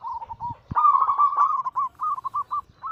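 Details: Zebra dove song from kept local and Bangkok-cross perkutut: a few soft coo notes, then a loud, sustained bubbling trill that breaks up into evenly spaced short coos, with a low knock near the start.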